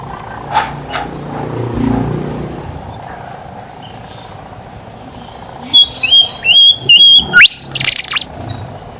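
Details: A Horsfield's babbler (kancilan emas), kept as a chatty singer to prompt reluctant babblers to sing, bursts after five quiet seconds of low rumble into loud, high whistles: sharp slurred and stepped notes in quick clusters, repeated several times.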